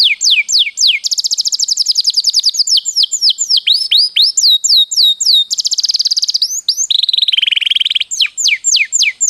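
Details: Canary giving its long rolling training-master song: sweeping whistles alternate with extended rapid trills and a lower buzzy roll near the end, then quick falling whistles resume.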